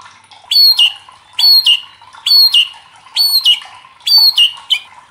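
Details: White-rumped shama used as a singing lure: a sharp, harsh two-part note descending in pitch, repeated about once per second, five times in a steady series.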